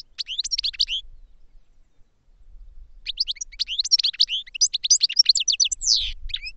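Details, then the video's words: Caged European goldfinch in training, singing two bursts of rapid twittering and tinkling high notes, a short phrase then a longer run after a pause of about two seconds. "Goldfinches Singing in CAGES for TRAINING"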